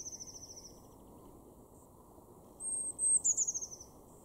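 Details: Eurasian blue tit calling in a garden in Weener, East Frisia, northwest Germany, April 2021: very high, thin notes, a brief fine trill, a drawn-out whistle, then a quick falling run of five or six notes, over a low hum.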